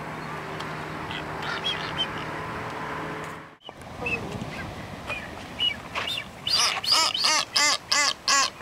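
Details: Blue-footed booby in the Galápagos, during its dance display, giving a quick run of nasal, reedy calls, about three a second, after several seconds of steady rumbling background noise.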